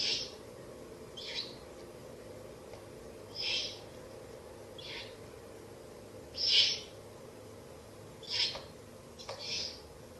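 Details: Owl chicks at their nest site in a ruin during a late-night rabbit feeding, 30 April to 1 May 2024; brief hissing bursts recur about every one to two seconds, some louder, against faint background hum.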